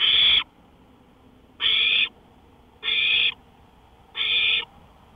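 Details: Owl calling on a porch at 1:53 AM on May 5, 2013; four harsh, hissing rasps, each under half a second, repeat about every 1.2 seconds over a quiet night background.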